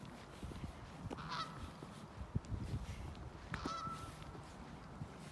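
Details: Canada geese resting on a snow-covered field in Ontario in winter, December 8, 2018, recorded on an iPhone 8; two separate loud, nasal honks about two seconds apart over a low rumbling background.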